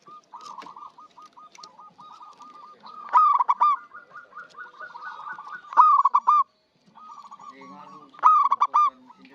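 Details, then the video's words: Vocal local zebra dove, kept as a trapping lure, sings rapid strings of soft repeated coos, interrupted three times by short, loud, harmonic rolling phrases before the quiet note runs resume. "PERKUTUT LOKAL GACOR UNTUK PANCINGAN SUARA BURUNG PIKAT"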